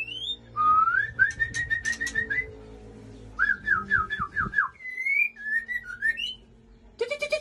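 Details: Aceh white-rumped shama male with female at Ujong Pancu: a whistled series of repeated upslurred notes, a run of five descending slurs, then melodic whistles; clicking sounds and a low hum throughout.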